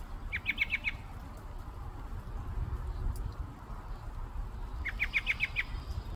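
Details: American robin (Turdus migratorius) in the USA giving two quick bursts of five sharp, clipped call notes, a few seconds apart, over a steady low rumble of wind or distant traffic.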